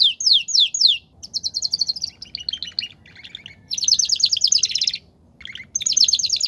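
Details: Belgian canary singing campainha: a series of rapid trills at changing pitches, some descending sweeps, separated by short pauses, each burst fast and rattling.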